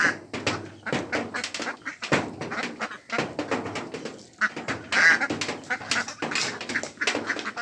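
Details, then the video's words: Mixed flock of Mandarin ducks, mallards and Pekin ducks on a pond; a continuous chorus of raspy, nasal quacks, several birds calling at once, with one brief thin whistled note midway. "Ducks Quacking"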